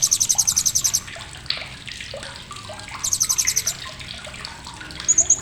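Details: Blue-crowned hanging parrot's sharp chatter, used to train songbirds: a fast, shrill run of about a dozen ticking notes, a second run after a pause, then a brief third start, with quieter chirps in between.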